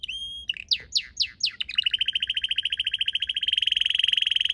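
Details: Garden red canary song among purple azaleas: a few high clear notes, then quick downward-sweeping chirps, settling into a long, rapid, even trill that grows slightly louder toward the end.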